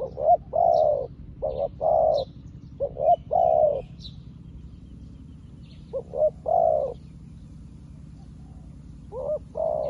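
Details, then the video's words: Spotted dove decoy bird, recently acquired, calling to lure wild doves: repeated low phrases of two brief notes and a longer purring coo, four phrases in ten seconds, with faint high twittering in the background. "លលកថ្មីមែន តែធ្វើហៅព្រៃដូចធ្នាក់ចាស់"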